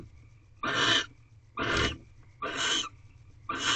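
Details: Barn owl pair mating in an owl box at 5:40 am on 7 March 2023: four loud, breathy rasping screeches under a second apart, each a dense noisy hiss, against a faint steady hum.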